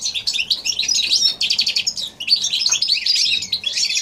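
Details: Goldfinch and canary hybrid singing in January 2016: a dense, rapid warble of high twittering and trilled phrases with short buzzy notes, running almost without pause and briefly dipping near the middle.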